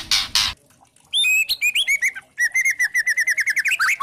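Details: Spotted 'trotol' white-rumped shama kretekan used as a lure to provoke rival shamas: two harsh rasping bursts, a pause, then bright varied whistled phrases and a long even run of rapid chattering notes that rises at the end.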